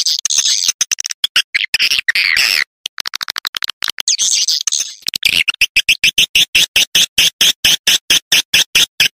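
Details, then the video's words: Swiftlet lure call played to attract swiftlets: dense, buzzy chirping clicks, then a run of sharp, evenly spaced clicking pulses about twice a second, high-pitched and dry, with brief gaps of silence. "Suara Burung Walet Sp Mfr Burung Walet Panggil"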